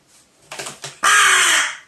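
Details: Crow angered when shown wild bird feathers: faint soft sounds, then a short harsh caw and a second one, followed by one loud, long, raspy caw in the last second.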